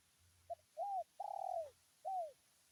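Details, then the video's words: "Tarik akar" call of a spotted dove challenging a rival: a brief clipped note, a smooth coo, a long vibrating coo that slides downward, then a closing falling coo, with faint low rumble behind. "suara tekukur tarik akar.memanggil lawan"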